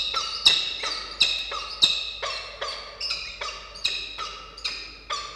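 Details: Adult peregrine falcon pair in Orange, New South Wales, celebrating a juvenile's first flight to the tower top in November; loud harsh chattering notes repeated about every half second, each sharp and grating with a fading tail.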